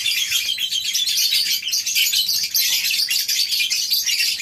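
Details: A morning scene of many farmed lovebirds in a colony aviary, giving steady, piercing, overlapping chirps and twitters that form a dense high chorus throughout.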